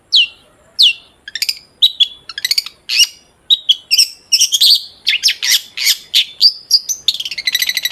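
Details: Song of a long-tailed shrike for luring shrikes into song: two downslurred whistles open, followed by a dense, varied run of harsh chattering and mimic-like phrases that grows faster and continuous toward the end.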